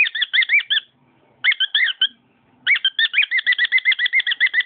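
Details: Pet cockatiel singing: quick bursts of warbled whistles with bright overtones, broken by two short pauses, then a steady run of similar rising notes repeated several times a second.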